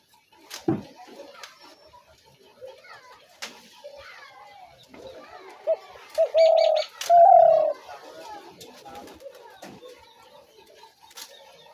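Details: Spotted dove call used to lure doves to traps, one phrase of two long coos near the middle, surrounded by faint chirps, clicks and other low background sounds.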